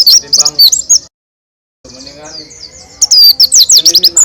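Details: High-pitched rapid twittering from a white-eye singing loud with open beak, roll tembak style; a burst of chirps, a brief silent gap, then a softer lower warble before dense, sharp notes return strongly.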